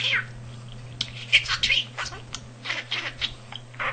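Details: Budgerigar kept as a house pet chattering in learned words, a male that picked up nearly 300 phrases by listening; rapid high, raspy speech-like stream rising and falling, faint low hum throughout.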